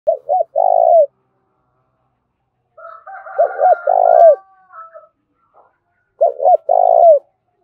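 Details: Spotted dove lure recording meant to stimulate calling, in the 'thổ đồng' voice style: three low cooing phrases, each two short notes and a longer drawn-out coo, with a wavering higher tonal sound between the second and third phrases.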